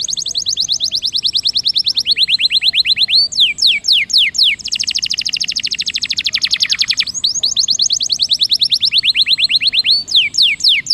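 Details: Rolling canary song used to stimulate a lazy canary: long runs of quick repeated notes alternating with slower sweeping downslurs, the phrases shifting between speeds with hardly a break.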